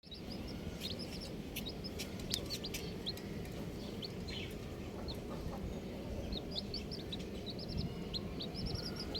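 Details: Colourful baby chickens peeping: many faint, thin, arched chirps scattered throughout, high and short, over a steady low rumble and rustling.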